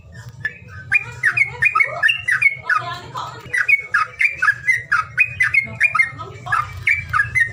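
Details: Calling sound to make lazy birds sing: scratchy, bending squawks repeated at a quick pace for several seconds, with a faint low hum throughout.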